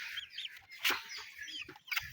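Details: Broiler chickens struggling in summer heat on a farm, giving thin high peeping chirps and a few harsher squawks, with a loud sharp knock near the middle and faint background noise.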